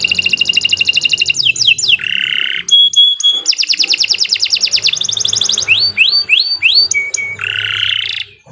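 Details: Canary giving a long, continuous lure song used for training other birds: fast repeated high trills, rolling rising notes, brief buzzy passages and a clear held whistle, delivered loudly without pause.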